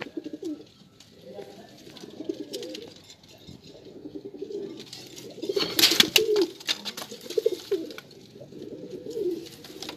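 Jacobin pigeon cooing in soft, low, rolling phrases, repeated in short bursts, with a brief rattling clatter midway and faint indoor sounds.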